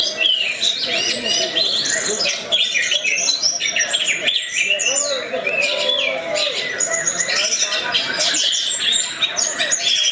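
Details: Orange-headed thrush singing in the 'teler' style prized by Indonesian songbird keepers: a dense, varied run of bright warbled and whistled phrases that continues without pause, with overlapping chirps and faint voices in the background.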